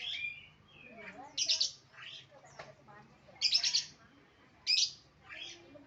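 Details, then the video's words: Lovebird giving loud, harsh rasping squawks in separate bursts about a second apart, mixed with softer squeaky twitters between them. "love bird"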